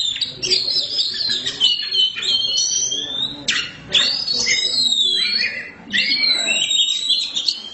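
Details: Oriental magpie-robin, black form (kacer hitam), kept bird, singing loudly: rapid sequences of high whistles and scratchy notes, with short breaks between phrases and low background noise.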